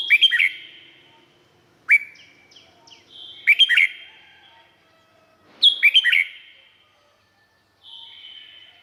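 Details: Red-whiskered bulbul from Thailand delivers several separate whistled phrases, some single upslurs, others bubbly runs of three or four notes, with quiet gaps and faint distant chirps in between.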